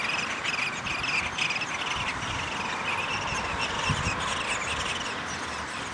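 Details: At a downy woodpecker nest during feeding, 20 May 2021, a burst of quick high chattering squeaks comes in the opening seconds, then fades into softer scattered chirps over background hiss.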